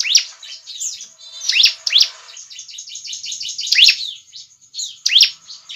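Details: Bar-winged prinia singing for use as a trapping lure. Shrill, steeply slurred notes mix with a dense scatter of fainter high chips through the whole stretch.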